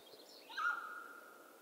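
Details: One clear mountain quail call: an abrupt bright note that carries on as a steady ringing tone for nearly a second, with faint high bird twitters just before it.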